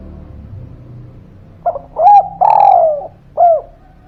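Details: Spotted dove lure call meant to prompt lazy birds to sing: after a quiet start, a quick series of deep mellow coos, short, short, long and sagging, then a final short coo, with soft low background noise.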